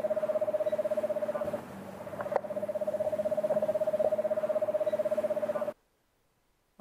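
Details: An Eastern Screech-Owl of eastern North America gives its common nighttime call, a long, steady, mellow whinny-like trill on one pitch, rapid even pulses running for several seconds, over a faint low hum.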